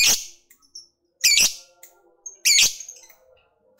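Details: Lovebird of the fighter kind giving provoking calls meant to make rivals answer quickly; sharp grating squawk bursts roughly every 1.2 seconds, with short faint whistles and chirps in between.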